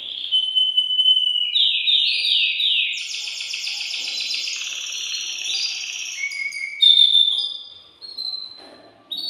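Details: Excited caged male canary singing to stimulate the female to mate; a continuous high song of rapid trills and rolling tours, shifting between pitches, with a bright whistled note near the end.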